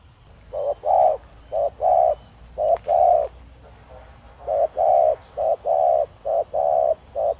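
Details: {'caption': 'Thổ Đồng-voiced spotted dove kept as a decoy for wild doves, cooing in a steady series of hollow mid-pitched notes, short ones alternating with longer drawn coos, with a brief pause midway.'}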